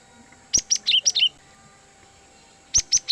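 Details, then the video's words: Cinereous tit calling to lure wild birds: a quick string of five piercing chirps with falling tails, a silent gap, then three more sharp notes. "suara Gelatik Batu Pikat sangat Baik Untuk Mikat Burung Gelatik Liar"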